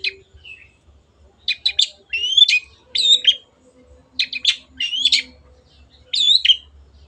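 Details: Long-tailed shrike, kept as a cage bird, singing on a training recording: bursts of rasping chatter with rising whistled slurs, in several phrases separated by short gaps, with faint low hum.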